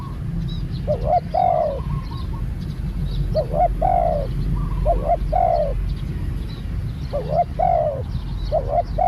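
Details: Spotted dove, a new bird being trained, giving repeated cooing phrases: two short hooting notes followed by a longer, drawn-out falling coo, about every two seconds. Steady low rumbling background noise throughout.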